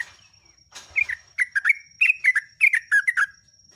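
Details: Lure song of a Sooty-headed Bulbul for training captive birds: a lively phrase of about ten quick, clear whistled notes in falling pairs, after a brief rustle, with a thin steady electronic whine behind.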